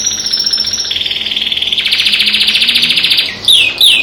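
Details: Song of a pet canary, other birds singing outside the window: long unbroken rapid trills that shift pitch from one stretch to the next, ending in two bright swooping whistles.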